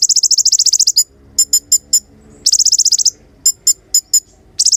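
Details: Sunbird song for coaching songbirds: two fast, ringing trills of tiny repeated notes, each followed by a few spaced, sharp chips.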